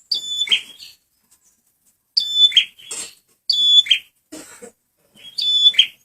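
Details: Lure recording of a male red prinia singing: loud phrases of a sharp high whistle dropping into a harsh buzzy trill, repeated about every one and a half seconds, with fainter scratchy notes between.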